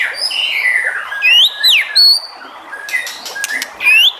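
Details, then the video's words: White-rumped shama song aimed at getting other shamas to sing: a falling whistle, then clear rising and downward-slurred whistled notes, short chips and a final sharp upslurred whistle. "MURAI BATU JENIS APAPUN PASTI NYAUT EMOSI DAN GAK BISU LAGI DENGAN SUARA MURAI BATU INI"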